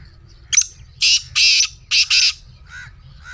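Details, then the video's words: Black francolin call to set off a pet francolin: a thin sharp note, four rough grating bursts, then two softer lower notes trailing off. "Black Teetar Voice"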